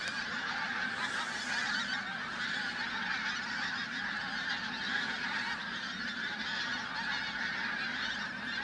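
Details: Flock of pink-footed geese at Flitcham, 5 January 2017, a steady mass of overlapping nasal honks and yelps running unbroken through the whole stretch.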